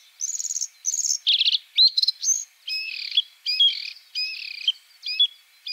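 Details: White-spotted bluethroat (Luscinia svecica cyanecula) in varied song, mixing high ringing trills, a rattling buzzy phrase, sharp ticks and harsh, scratchy notes in quick succession.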